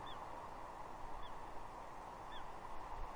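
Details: Young female bald eagle on Catalina at Two Harbors, 30 June 2021, begging from her perched father for fish; three brief, high, slightly falling squees about a second apart, set against constant wind-like roar.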